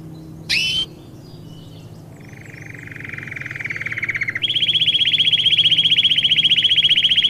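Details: Domestic canary song for training young birds. A short sharp note is followed by a low, soft, rapid trill that swells, then switches to a loud, high, fast rolling trill.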